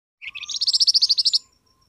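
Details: Flamboyan bird call used to make wild birds call back: a short rising chirp, then a fast buzzy trill of about a dozen evenly spaced pulsed notes lasting about one second, with a faint thin whistle after it.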